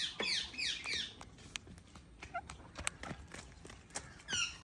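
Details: Parrot calling indoors, a burst of sharp, high downward-sweeping squawks opening the clip, then scattered dry clicks and taps, with a short harsh squawk at the end.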